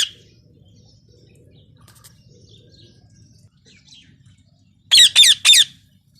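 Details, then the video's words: Parrot letting out three harsh, grating squawks close together near the end, following several seconds of near quiet with faint distant chirps. "Natural sounds parrot"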